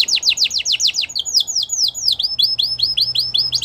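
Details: A champion canary singing as a training model for young canaries: a quick series of sharp downswept notes, a brief mixed phrase, then evenly repeated chevron-shaped whistles.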